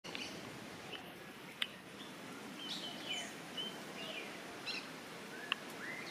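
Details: A Rose-breasted Grosbeak gives two sharp, squeaky 'eek' call notes about four seconds apart, over faint high chirps and slurred whistles from other birds and steady background hiss.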